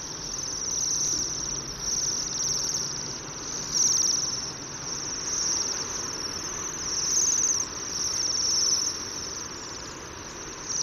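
Bohemian waxwings keep up a steady chorus of high, thin, sibilant trills that overlap into a continuous shimmering hiss from a calling flock.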